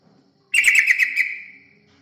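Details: Yellow-vented bulbul song used as a lure to attract other birds: one short, bubbly, chattering phrase of quick notes lasting about one second, trailing off into a fading whistle.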